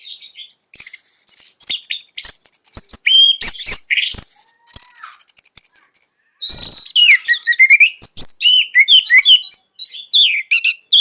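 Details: Indonesian caged orange-headed thrush singing a varied, energetic song of very high squeaky whistles, rapid trills and slurred notes in near-continuous bursts, with one short break midway.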